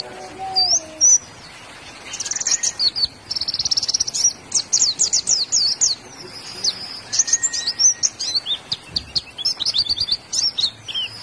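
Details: Caged white-eye (Zosterops), a songbird in Indonesia kept and contested for its skill at mimicking other birds, singing loudly with open beak: rapid high twittering runs of sharp chirps and trills, with brief lower whistles early on.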